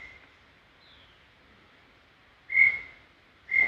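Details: Brown tinamou in Serra do Brigadeiro State Park giving two clean whistled notes at a steady pitch, a second apart, after a quiet gap. A faint descending whistle is heard earlier.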